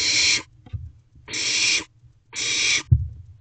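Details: Nest box of barn owl owlets, recorded at night at 2:17 am, 18 May 2023, while one owlet allopreens another; three drawn-out rasping hisses about a second apart, separated by quiet shuffling and a dull knock.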